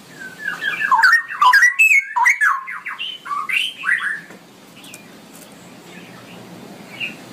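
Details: Cucak rowo, the straw-headed bulbul, pours out a long ropelan song: a fast run of loud, liquid, gurgling notes rising and falling for about four seconds, then quiet with faint scattered notes.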